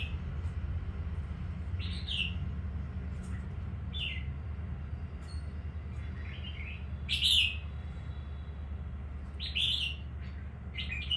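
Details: Newly selected wild-type red-whiskered bulbul from Quảng Nam, Vietnam, giving short, bright chirpy phrases every couple of seconds, one louder burst midway, over a steady low hum.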